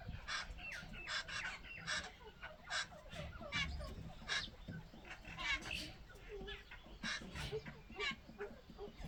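Jungle babblers give harsh, squeaky chattering, with bursts of rasping notes tumbling over one another from several birds, above a low background rumble.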